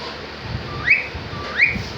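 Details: Pet cockatiel in a happy mood giving two rising whistled calls, each sliding upward and peaking sharply about three-quarters of a second apart, with faint low background rumble.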